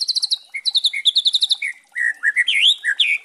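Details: White-rumped shama with spotted juvenile plumage, singing a 'kretekan' lure to provoke other shamas; bursts of fast high repeated notes alternate with lower whistles, ending in varied, swooping rising and falling phrases.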